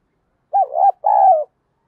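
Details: A short call from a decoy spotted dove meant to attract wild doves: a quick wavering coo followed at once by a longer, steady coo that falls slightly at the end, with a silent background.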